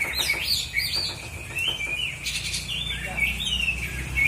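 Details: Black-and-white Oriental magpie-robin singing in a bird song contest in South Aceh, Indonesia: a continuous run of high whistled phrases with sliding, warbling notes, and faint voices and low background hum beneath.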